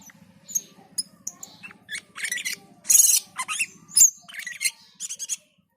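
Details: Black-and-white bulbul singing in full, vigorous voice: scattered high chirps and short whistled notes, then dense buzzy, harsh bursts around the middle, followed by more sharp high notes. A steady low hum runs underneath.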